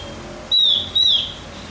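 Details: Two clear, high whistled notes, each slurring slightly downward, from a Javan grey-throated white-eye recording meant to excite other birds; a quiet background with no other voices.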